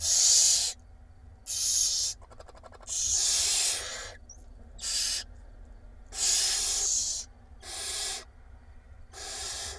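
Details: Hungry barn owl chicks beg in an Israeli nest box as their mother brings food, filmed by a live camera in spring. Long, loud, noisy hissing screeches overlap in a dense series, one rapid ticking burst between them.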